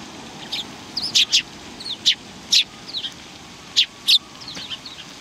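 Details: Sparrows, several together, recorded 19 March 2019: sharp, high chirps repeated every half second or so, some doubled, with softer twittering notes between them and a faint constant rumble underneath.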